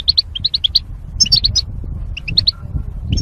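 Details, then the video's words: Quick sparkling chirps from a caged goldfinch, one of several pairs housed for mating behind wire barriers, delivered in three short tight runs with brief gaps, over soft low background noise. "Goldfinch Chirping Sounds"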